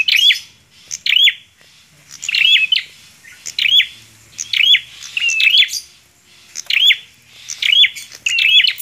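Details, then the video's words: Bar-winged prinia in full song, repeating loud, high, buzzy-edged whistled phrases with hooked pitch bends, separated by brief pauses. "PRENJAK KLAWU GACORR"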